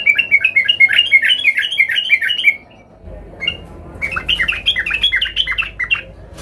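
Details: Sooty-headed bulbul, agitated and searching for a rival, used to coax other bulbuls into song. Two long runs of rapid, bubbly, up-and-down warbling notes separated by a short gap with low background rumble.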